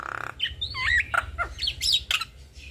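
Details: Black-winged starling duet of male and female: a harsh nasal buzz, then looping whistled notes that rise and fall, and squeaky chatter.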